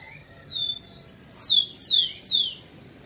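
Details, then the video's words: {'caption': 'Rufous-collared sparrow (tico-tico) male singing to stimulate females: two long clear whistles, the second rising, then three loud downslurred whistles in steady succession, each about half a second; quiet background.'} "ESQUENTE seu TICO-TICO no Máximo e ESTIMULE suas FÊMEAS a aprontar!"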